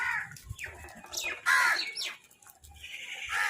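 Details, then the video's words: Crow giving a food call: harsh, nasal caws with stacked harmonics, several rough calls in quick succession with a louder burst midway, over faint low background rumble. "Crow Food Call"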